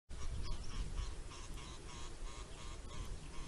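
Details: One of a pair of tawny eagles at Mpala, Kenya, on 8 January 2022 gives a quick run of hoarse, barking notes, about four a second. The calls are half-buried under a heavy rumble of wind.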